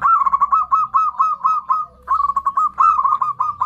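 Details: Zebra dove lure call, made to draw in other zebra doves: rapid rolling strings of short mellow cooing notes at a steady mid pitch, running continuously with one brief pause near the middle.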